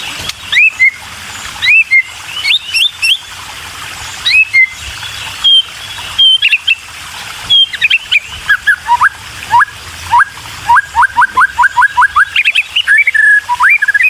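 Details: White-rumped shama young calling for food as the parent feeds them; scattered sharp chirps with clicks early, then a quickening series of short rising calls toward the end.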